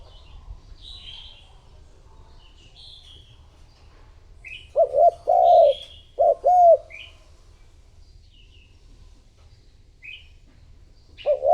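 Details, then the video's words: Spotted dove used as a decoy to attract wild doves; scattered high chirps of other birds, then a run of three low, hollow coo phrases mid-recording and another coo beginning at the close. "Cu gáy mồi thúc gù gọi bổi / Suara Burung Tekukur Gacor"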